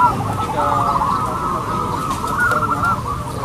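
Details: Local zebra doves at a singing competition, massed cooing from many birds forming a continuous chorus with some clearer rolling notes.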